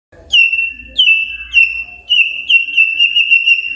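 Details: Magpie-robin morning song intended to stir other magpie-robins into song: steady, sustained whistle broken by repeated short upward flicks roughly every half second.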